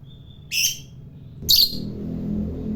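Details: Fighter lovebird in its long 'ngekek panjang' chatter, a sound said to stir up other lovebirds: two harsh, shrill, broadband bursts about one second apart, the second louder, over a low steady hum.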